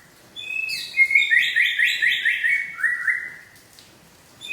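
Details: White-rumped shama of the Aceh type singing: a rich phrase of bright, slightly buzzy notes, starting with a few high whistles, then a quick descending series of warbled notes.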